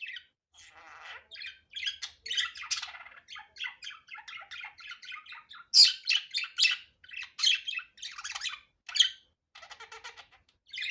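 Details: Budgerigar natural sound, unedited: continuous rapid chattering warble of chirps, clicks and scratchy buzzes, growing louder in the second half.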